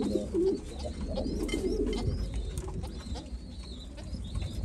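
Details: White homing pigeons produce a strong, gurgling coo at the start, then softer overlapping murmurs over a continuous low hum in a small room. Faint high whistling notes also recur.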